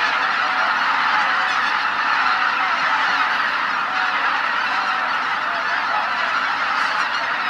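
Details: Tens of thousands of wintering waterfowl at Izu-Numa, northern Miyagi Prefecture, Japan, on a Christmas morning: a dense, unbroken chorus of overlapping nasal honks and clamour, steady and loud throughout with no pauses.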